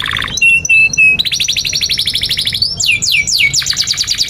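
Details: Canary song for teaching young birds, opening with short pure whistled notes, then a long buzzy rapid trill, a few steep downward sweeps and a final quick chattering rattle.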